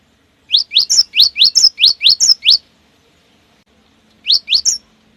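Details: Cinereous tit giving a lure song with quick close-set phrasing. About nine rising whistles run in a two-second burst, then after a pause three more follow.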